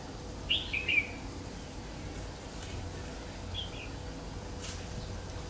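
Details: Red-whiskered bulbul of the Má Lỡ type during trapping, 3 September 2019. A loud cluster of sharp, bright slurred whistles, followed by a single softer note about three seconds later, over low noise.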